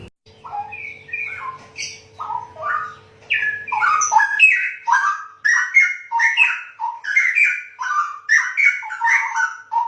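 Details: Straw-headed bulbul (cucak rowo) pouring out a loud, rich, bubbling song of liquid whistled phrases that jump between low and high notes, delivered in quick continuous bursts; a low steady hum lies underneath for the first few seconds.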